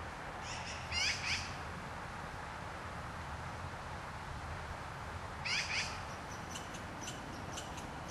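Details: Black-billed magpie (Pica hudsonia) calling: two short harsh chattering bursts, about four seconds apart, each a quick cluster of rasping notes, over a steady low background hiss.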